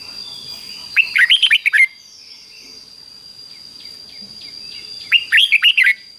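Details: Red-whiskered Bulbul in a cage delivering its doubled training song for young birds: two phrases of six lilting, up-and-down whistled notes roughly four seconds apart, quieter birds calling in between over a constant high hum.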